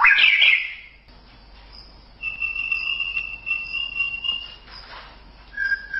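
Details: White-rumped shama training song for teaching cagebirds: a brief scratchy flourish, then long, pure, steady whistled notes held for over two seconds, ending with a short lower whistle.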